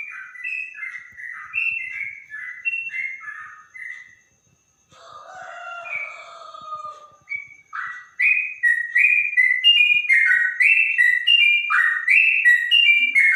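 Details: Trotok with a clear, straw-headed-bulbul-like voice: rapid phrases of mellow whistled notes, a pause with a softer lower warble, then a louder fast burst of repeated fluty notes.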